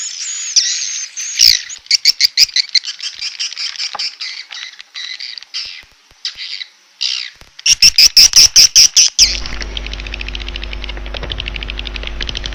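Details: Swiftlet calling sound used as a lure: bursts of high, thin chattering twitters, then a fast run of sharp clicking chirps, ending in a steady electrical hum with faint twittering.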